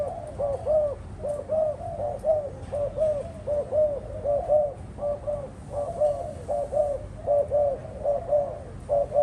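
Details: Kept spotted doves cooing: soft, low hooting notes in rapid overlapping series, roughly one coo every half second, steady throughout with little other noise.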